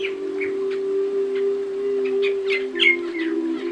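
An African starling gives a scattered run of bright, squeaky chirps and short whistled notes over a steady low humming drone.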